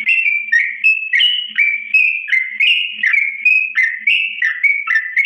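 A greater green leafbird sings a steady, unbroken stream of rich, clear whistles, slurred up and down in quick varied notes, with no other sounds behind.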